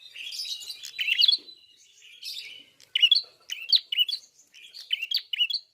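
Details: Red-fronted prinia singing fully: an opening scratchy chatter, then a series of quick high twittering bursts with sharp chirps, repeated about every half second toward the end.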